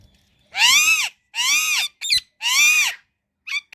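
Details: Indian ringneck parrot chirping: three loud, harsh, arched calls, each about half a second long and rising then falling, followed by a short sharp note and a brief final chirp, with near silence between them.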